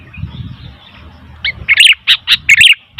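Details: Sooty-headed bulbul calling noisily, a faint note and then a quick string of loud, bright chirps in the second half, over soft low background noise.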